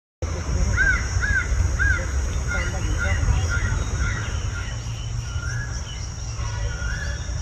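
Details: Red-whiskered bulbul chicks in their nest give short, arched chirps in quick, uneven runs, fading in and out over steady low rumble and handling noise.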